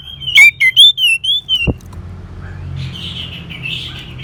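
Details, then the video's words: Singing orange-headed thrush, meant as a stimulus for caged birds that have stopped singing: six loud, clipped whistled notes in quick succession, followed by faint, softer warbling over a low background rumble. "Terap1 Suara ANIS MERAH Macet Bunyi Agar Mau Kenceng Dengar Kicauan Ini"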